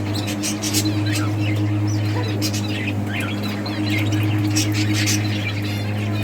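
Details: A breeding group of budgies chirps and warbles while playing, giving bright, repeated little notes at an uneven pace over a persistent deep hum.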